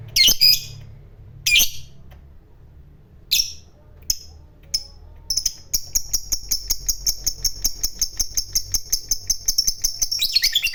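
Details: Fighter lovebird giving its long 'ngekek panjang' trill, used as a lure to provoke other lovebirds: a few harsh chattering notes, then a rapid, even, high trill sustained about five seconds before ending in a rasping burst.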